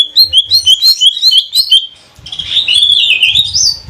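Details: Captive greater green leafbird of the Banyuwangi cucak ijo trotol type, song used as a lure for other birds. Short bright whistles repeat rapidly, then merge into a longer buzzy, warbling rising phrase over a faint low rumble.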